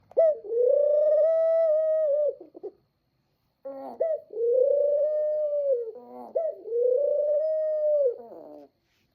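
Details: Dove cooing indoors: three long, smooth, drawn-out hums, each held steady for about two seconds with a slight rise and fall, separated by brief pauses.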